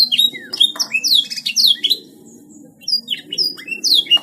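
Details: Gacor canary song. Rapid high descending whistles and buzzy trills fill the opening, fall silent for about a second, then return with sharp chirps and slurred notes, over a soft low background rumble.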